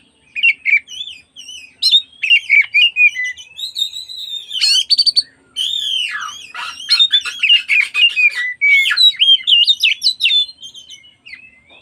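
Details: Afternoon lure song of an oriental magpie-robin, meant to make rival magpie-robins join in and fan their tails: a long, dense, fast torrent of varied whistles, squeaky slurs and rattling trills, almost without pause.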